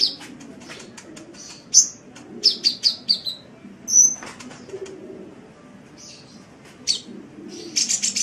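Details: Sunbird song used as training recording for songbirds: scattered high, thin chirps and short whistled notes, a quick run of four sharp notes near the middle, ending in a buzzy rapid trill.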